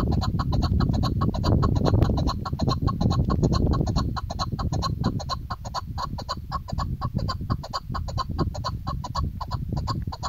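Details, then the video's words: A female chukar partridge gives short, clucking chuk notes, about four a second in a steady run, over a heavy low rumble of background noise. "Shikari Chakor sound Keklik sesi Femalechakor شکاری چکورآوازمادی چکور"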